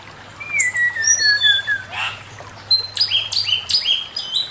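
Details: Male Chinese hwamei giving master song, a long falling whistled glide followed by rapid repeated bright chopped notes stepping down in pitch, with a low hum in the background.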